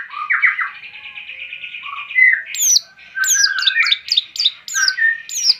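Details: Varied long-tailed shrike song: a buzzy warbling run followed by repeated high, thin downslurred whistles mixed with chattering notes.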